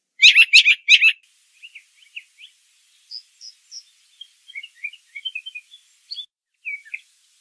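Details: Brown thrasher singing in nature: a loud opening of three quick harsh, buzzy note clusters within the first second, followed by a run of softer, varied short chirps and whistled phrases, high and separated by brief pauses.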